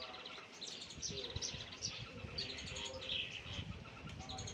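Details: A tame cockatiel gives a run of short, bright chirps and whistled notes over low background noise.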